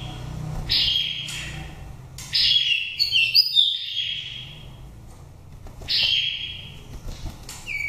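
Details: Wild-voiced oriental magpie-robin from Dak Lak, a nest-raised bird of five seasons, sung to excite birds coming into condition or for forest trapping. Short bright whistled phrases with downward slides, spaced by quiet gaps, plus a brief twittering run.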